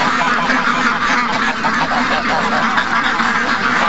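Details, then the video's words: A crowd of over 700 ducks and geese during a morning rush, August 12th, 2015, pours out an unbroken wall of nasal quacking and honking with no pauses. "700+ Ducks & Geese Morning Rush"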